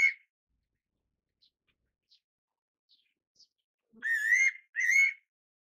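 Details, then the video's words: Two-note whistled call of a fairy pitta, a pair of rising notes with a slightly rough tone near the end, preceded by a clipped note and faint scattered ticks. "八色鳥(八色鶇)/Fairy Pitta"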